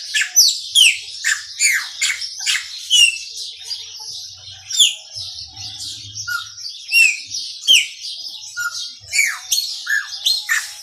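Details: Chopi blackbird pouring out maranhãozinho song, a dense stream of loud, ringing whistled slurs roughly twice a second, scattered lower whistles, and faint low rumbles near the middle.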